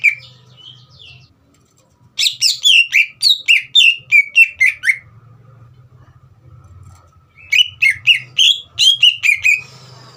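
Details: Green leafbird, kept caged, singing to rouse a young speckled bird: a brief opening phrase, silence, then two bursts of rapid, loud downward-sliding whistles, several notes a second, separated by a quiet gap with faint low hum.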